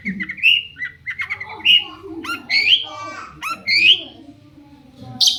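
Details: A long-tailed shrike sings a varied lure phrase to make other shrikes respond, mixing squeaky rising whistles, scratchy notes and abrupt harsh squawks with short gaps between them.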